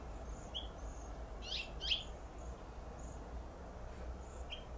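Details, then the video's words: Sharp paired cheep contact calls from a male House Finch in a flowering plum tree at Pacific Grove, California, two quick notes in succession, with brief high thin notes before and after and a soft low rumble. "House Finch Call"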